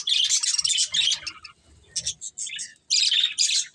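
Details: Pet budgies from a breeding pair give short bursts of high, buzzy chirps separated by brief quiet gaps.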